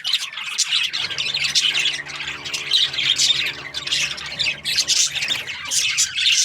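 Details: Australian budgies give busy, high-pitched chirping, short raspy squawks and trilled twitters crowding over one another in a continuous chorus.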